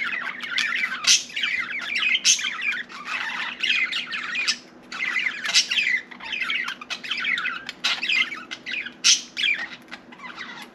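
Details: Budgerigar kept as a pet, chattering nonstop indoors in a fast, scratchy warble dotted with loud squawks and high chips, the phrases running together for the whole stretch.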